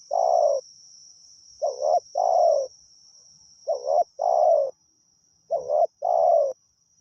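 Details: Spotted dove decoy cooing repeatedly to attract wild doves: three two-part phrases, a short wavering coo then a longer downslurred one, spaced about two seconds apart, against a steady high-pitched whine.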